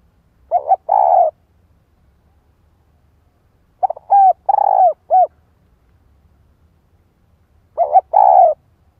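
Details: Decoy female spotted dove in captivity, calling to provoke a male: three cooing phrases spread over nine seconds. The middle phrase is longer, with extra short coos after the main rolling note.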